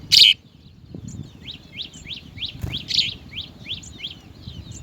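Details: House sparrow chicks at the nest beg with a fast run of high, thin cheeps, about four a second, after one sharp loud chirp at the start.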